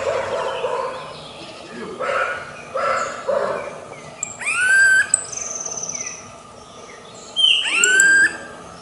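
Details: Smooth-billed ani in the wild giving two loud, whining, upslurred whistles a few seconds apart, each rising sharply. Softer muffled notes come before them.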